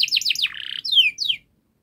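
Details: Canary model song for teaching young canaries: quick descending whistles, a brief buzzy trill, then two loud downward-slurred notes before the song stops.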